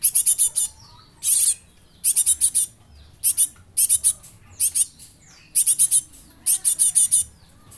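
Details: Chicks of the Java sparrow, a rare, nearly extinct bird, used as a lure: about nine quick clusters of thin, high-pitched chips, three to six notes each, at uneven intervals over a quiet background.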